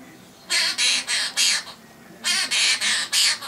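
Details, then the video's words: Pet male half-moon conure singing his favourite song, the tune Wheels On The Bus: two bursts of four harsh, raspy squawking notes evenly spaced, separated by a short pause. "Conure Sings "Wheels On The Bus...""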